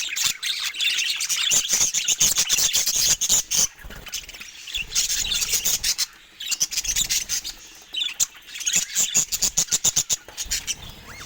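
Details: Indoor rare budgerigars with no speech or music; loud rapid chirping and warbling from many birds, with quick clicking bursts of scratchy notes.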